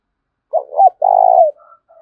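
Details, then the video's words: A single spotted dove coo used to provoke fighting: a quick double hooked note followed by a sustained buzzy coo that slides down, trailing into a faint soft note. "Tiếng chim cu gáy thúc đấu cực đỉnh/ cu gay kich boi nhanh noi gù"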